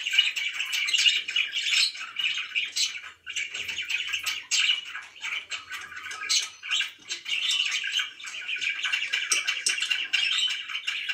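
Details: Pet budgies chirping continuously, a dense stream of short scratchy chatter and warbles overlapping, with brief sharp clicks throughout; no other clear sounds.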